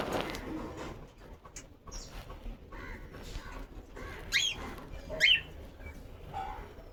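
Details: A cockatiel dancing gives a few soft warbles, then two sharp, bright chirps about a second apart, over faint rustling and flapping in a quiet room.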